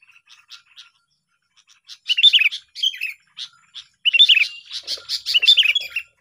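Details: Sooty-headed bulbul, a sound used as a trapping lure, heard in a lively chirping duel: soft scattered high notes at first, then loud bubbly whistled bursts and rapid chattering phrases.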